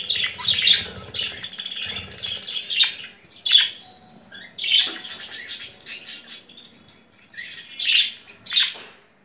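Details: Pet female budgerigar kept indoors, thrilled while watching other budgies on a laptop screen: bursts of scratchy, squeaky chirps and warbles, loud clusters about every second with quieter chatter between.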